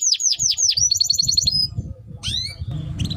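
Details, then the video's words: Timbrado canary singing a melody: fast series of descending whistled sweeps, then a rapid trill of short repeated notes, a pause and a few scattered rising chirps, low background rumble. "Canary Bird Singing Timbrado canary singing beautiful melody"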